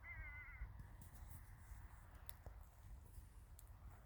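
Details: Crow in a village in winter: a single hoarse, wavering caw at the start, followed by low rumble and scattered clicks and knocks.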